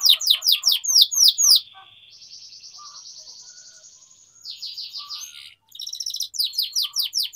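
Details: Atlantic canary (kenari) training song, energetic 'gacor' style, used as a lure for young learning canaries: quick downslurred chirps, then a long, even, buzzy rolling trill, a brief pause, and renewed sharp chirp series.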